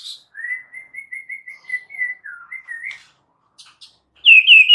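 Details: White-rumped shama, a single bird in chatty full-fill-in song: a steady series of about a dozen short, even whistled notes at one pitch, a slight drop and rise, then a loud, richly modulated high warble.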